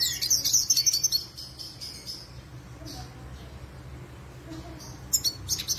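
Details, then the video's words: Black-headed siskin, a seed-eater kept in a collection as a tutor singer, gives a quick burst of high twittering chirps. A quieter pause follows, then a few sharp high notes return near the end. "BlackHoded Siskin gacor"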